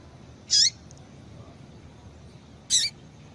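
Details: Two short, shrill chirps about two seconds apart from a female double-collared seedeater, whose call rouses males to sing; low steady hiss otherwise.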